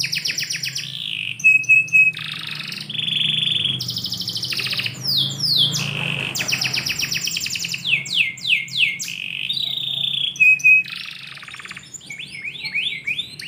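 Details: Indoor canary in morning song, a long continuous run of rapid trills, rattling buzzes, repeated rising sweeps about four per second and short clear whistles, over a faint low room hum.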